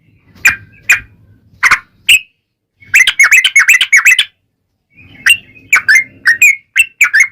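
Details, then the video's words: Yellow-vented bulbul used as a lure for other bulbuls, singing in bursts: a few sharp chirps, a rapid run of bubbly notes, a silent pause, then more gurgling whistles over a low background rumble. "SUARA trucukan gacor ROPEL PANJANG"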